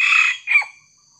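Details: Part of a red junglefowl crow heard as a decoy bird confronts a young wild junglefowl: a harsh drawn-out note that fades, then a shorter, falling, hoarse ending, followed by near silence.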